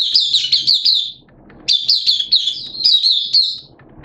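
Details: Hobby-kept Oriental white-eye singing openly ('buka sing') on 11 September 2022 amid wet, erratic weather; two runs of fast, loud, high, bubbling warbled notes with a brief pause between them.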